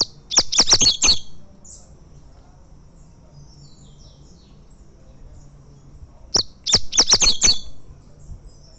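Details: Double-collared seedeater, a tournament-winning coleiro singing in fibra style: two matching bursts of rapid, sharp high chips about six seconds apart, with faint twittering birds in the background.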